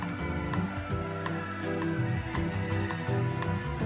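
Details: Instrumental background music plays throughout, with steady low tones and soft melodic notes and no animal calls.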